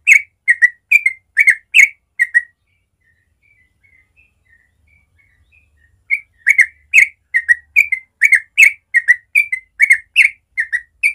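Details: Yellow-vented bulbul in a natural morning recording, singing the rapid 'ropel' style: bursts of bright, slurred whistled notes in quick clusters, a quiet pause with a few soft notes, then the fast chattering phrases resume.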